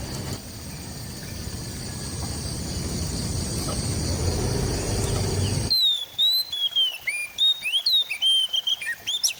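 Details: White-rumped shama recorded with an Android phone in East Java: after several seconds of steady buzzing noise, a varied song of clear whistled notes, sharp upslurs and downslurs in quick, irregular succession.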